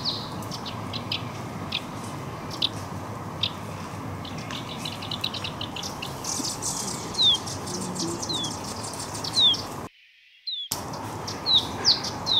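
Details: Young Eurasian crag martins being fed at the Walensee, Switzerland, give thin, high chirps and short downslurred squeaks about every two seconds over a steady low rumble like wind.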